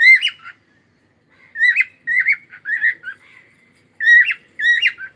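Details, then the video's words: Short, scratchy warbles from a cockatiel in song, about seven twisting notes grouped in quick clusters, with a pause of roughly a second between the first note and the rest. "Cute Cockatiel singing and sound"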